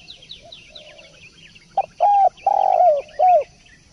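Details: Spotted dove (derkuku, tekukur) coo in a gacor masteran recording: after faint high chirps of other small birds, a soft short note leads into three low, hollow, rounded coos, the middle one longest and dropping at the end.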